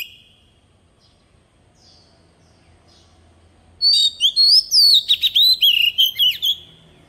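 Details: After several quiet seconds, a decoy Oriental magpie-robin bursts into its forest-voice song: a dense three-second series of bright whistles and chattering notes.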